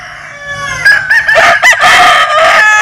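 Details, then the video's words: Rooster crow, Vietnamese or American Sil breed: a single loud, harsh, stuttering crow rising into a long sustained final note, faint distant crowing heard underneath. "Tổng Hợp Tiếng Gà Gáy/ Synthesize Cock Crows"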